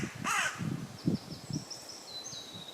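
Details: Common raven croaking up in a tree in woodland in West Sussex, England: a single harsh, hoarse croak, then low wind rumble and faint thin whistles from another bird in the background.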